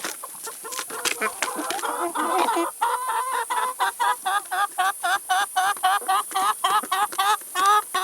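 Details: Chickens feeding on salad and vegetables; jumbled clucks at first settle into a regular series of short, wavering clucks, roughly four per second, with pecking clicks.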